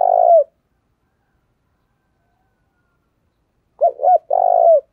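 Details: Decoy spotted dove calling wild doves in: the tail of a rolled coo, a quiet gap of about three seconds, then a new phrase of quick double notes and a long vibrating coo sliding downward.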